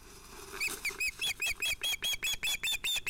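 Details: Ospreys calling at the nest as the sun sets, 11 August 2018, during a fish delivery to two ringed chicks. Quick, insistent piping notes build in loudness and repeat steadily, each note a short, slightly arched whistle.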